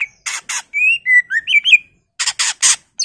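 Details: Greater green leafbird, gacor full isian, a few clear slurred whistles rising and falling between harsh broadband rasping notes repeated in short bursts.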